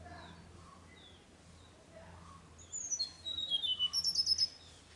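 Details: Singing Tickell's blue flycatcher at Nandi Hills, Karnataka, 4 June; after quiet soft background chirps, a bright burst of high descending whistles breaks into a rapid trilled phrase of repeated sharp notes, with a faint low hum.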